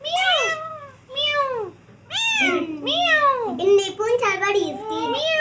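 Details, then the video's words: Two pet green ringneck (rose-ringed) parakeets talk in mimicked speech after starting a small squabble: about eight high, nasal syllables that arch up and fall, in quick phrases with a short pause, over a faint low hum. "Green Talking Parrot |Parrots Speaking |तोता बात कर रहा है"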